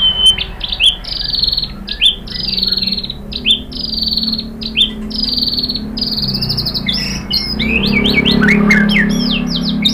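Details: White-rumped shama song played to make other shamas respond: a series of high, slightly falling whistled notes repeated at an even pace, then a faster jumble of sharp chips and twisting whistles over a soft background hum.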